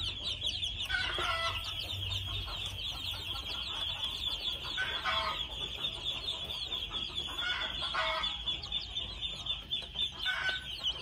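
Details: Red junglefowl chicks about two months old utter three separated bursts of harmonic clucking calls, spaced several seconds apart, against a constant high-pitched buzzing background.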